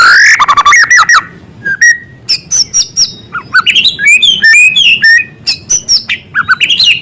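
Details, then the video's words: White-rumped shama singing a varied, loud medley with small-bird sounds mixed in: clear whistles, quick rising and falling sweeps, and bursts of sharp high chips in rapid succession. "Murai gacor materi isian suara burung kecil"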